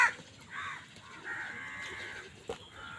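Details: Crows fighting for food: harsh, drawn-out nasal caws, one short and one longer and flatter, with a brief sharp knock near the end.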